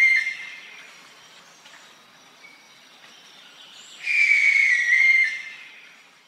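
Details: Barn owl giving a harsh, hissing screech of about one second after a faint earlier tone, broad and rasping with a thin whistled edge running through it.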